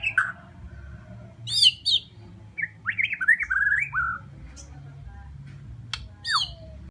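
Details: Bornean white-rumped shama delivering rich whistled song: high sharp notes, a burst of quick looping warbled phrases, pauses, then a bright high note sliding sharply downward; faint low hum in the background.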